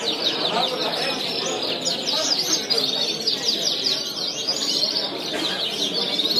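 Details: A Belgian canary (labelled a Border canary, scored 90 points in 2016) sings a continuous stream of rapid, high trills and chirps, with a faint murmur of voices underneath.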